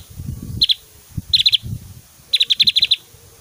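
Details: Javan grey-throated white-eye singing energetically with loud, varied 'tembakan' phrases for tutoring other birds; brief bursts of rapid high chips, ending in a run of about eight notes, over low rumbling background noise.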